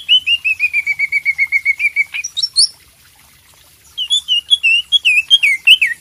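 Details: Lively greater green leafbird (cak ijo) song meant to prompt a bird that has stopped singing: a fast string of about fifteen even down-slurred whistles, a pause, then varied higher slurred whistles.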